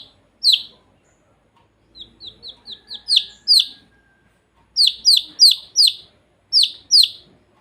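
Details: Young domestic chicks giving sharp, high descending peeps, some loud and clipped, in short bursts with brief silent gaps between them.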